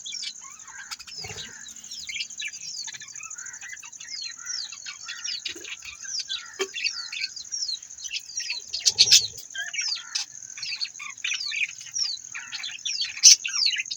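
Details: Several budgies chattering continuously, with many short descending chirps and scratchy warbles over a constant high whine, a few louder notes standing out.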